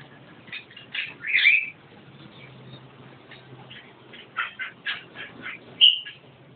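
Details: Javan myna singing: a loud grating squawk, a quieter stretch, then a string of short scratchy notes and a final sharp, whistled squeal, with a faint low hum behind.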